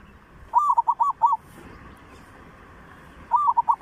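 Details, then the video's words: Zebra dove lure song in the style of Thailand's three southern provinces: a long run of six rapid, bubbling coo notes, then a second burst beginning about two seconds later. "เสียงนกเขาชวา เสียงสำหรับต่อ เสียงนกสามจังหวัด"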